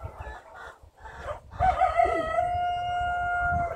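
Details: Rooster crowing at the Norman Wright Memorial Chicken Display at Kadoorie Farm, a long drawn-out crow held steady for about two seconds after a rough rising start, following low clucks and chatter from the flock.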